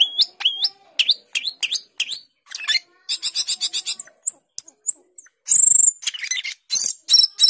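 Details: Asian glossy starling (cucak keling) in long varied song: upslurred whistles, a rapid buzzy pulsed series, short squeaks, a sustained piercing high whistle and scratchy chatter.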